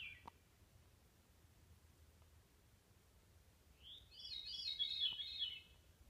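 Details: A Veery singing along the Salamander Trail near Hawksbill, Shenandoah National Park: a single breezy, fluty phrase about two seconds long, a rolling, reverberant spiral of high notes, with a faint background hush before it.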